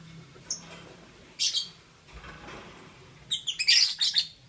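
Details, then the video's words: Lovebirds of green, yellow and lutino colour varieties in the morning, giving a few short, sharp high chirps in scattered bursts with quiet gaps between, ending in a quick run of squeaky notes. "Lovebird Chirping Sounds"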